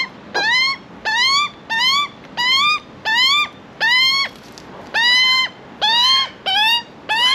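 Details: Juvenile Australian magpie in Australia calling for food: a regular run of about nine loud, buzzy, rising squawks, one roughly every three-quarters of a second, with quiet room noise between them.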